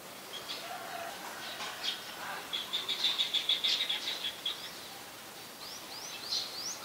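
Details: Adult Chestnut-headed bee-eater in Ubon Ratchathani, Thailand, on 13 February 2021, recorded with a Nikon P1000: a quick run of thin, high chirps and a short trill, then a few brief upslurred notes near the end.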